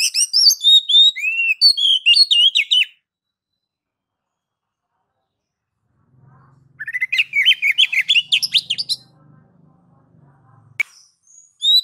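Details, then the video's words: Oriental magpie-robin giving ngeplong song to provoke kacer into full singing: two bursts of fast, varied chirping and twittering whistles about three seconds each, separated by a pause with a faint low hum, plus a sharp click near the end. "MASTER DASAR KACER NGEPLONG MEMANCING KACER AGAR CEPAT BUNYI GACOR Birds Song Kacer"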